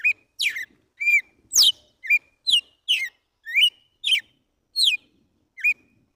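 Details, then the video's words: Red-cowled cardinal singing in the morning in the 'tiro de guerra' song style, called pure wild: about ten loud whistled notes, each sliding steeply down from high to lower pitch, given at a quick uneven pace, clean quiet background. "GALO DE CAMPINA CANTO TIRO DE GUERRA"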